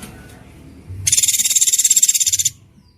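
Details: Isian tembakan for murai batu, a training filler song: one brief, rapid, rattling high trill of about twenty even pulses, with low background noise before and after.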